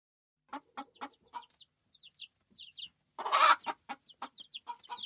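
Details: Chickens on a farm: short, rapid clucks in uneven bursts, mixed with thin, squeaky higher calls and one loud, harsh, noisy squawk midway.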